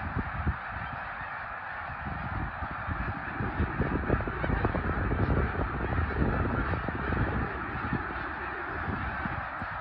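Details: Massed snow geese at Middle Creek, 2022: a steady wall of countless overlapping honks that swells slightly in the middle, with low-pitched rumble and thumping beneath the chorus.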